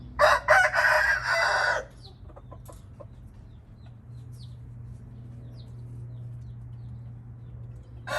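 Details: Indian red junglefowl giving a loud, harsh, broadband call of about one and a half seconds near the start, then a quiet stretch with a low steady hum and faint clicks, and a brief loud sound returning at the end.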